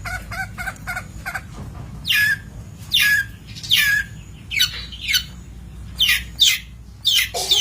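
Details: Long-tailed shrike, from a master recording for training birds: a run of quick soft ticking notes, then loud harsh downslurred rasps given roughly every half to one second.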